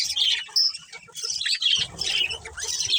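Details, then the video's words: Budgerigars, a breeding pair in a colony, give bursts of high chirps and short warbled notes separated by brief gaps, with soft low rumbling in the background. "Cute Budgies Chirping Sounds"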